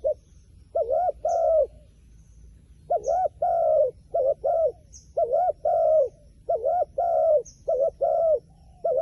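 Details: Wild pigeon cooing: a short broken double note followed by a longer, smooth, slightly falling coo. The phrase repeats in uneven bursts over nine seconds, with faint high chirps from other small birds in the background.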